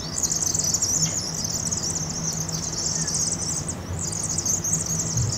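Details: Thousands of migrating Vaux's swifts (7,000–7,500 counted) swirl to roost in a campus chimney in Eugene, Oregon, one fall night after a failed Cooper's hawk attack. They give dense, continuous high twittering chips over a low hum; audio sped up 2.5×.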